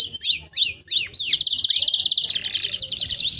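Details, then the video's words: Baderna-style canary song for warming up canaries: three clear down-slurred whistles about three per second, then a fast, even buzzy trill followed by a higher chattering burst. "Canário Baderna de Para Esquentar Seus Canários!!!"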